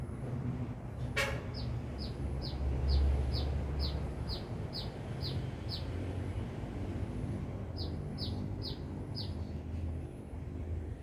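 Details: Sunbird in Binjai singing energetically: a sharp click, then a long series of high, brief falling chirps about four per second, a gap, and another short run, with constant low rumbling noise.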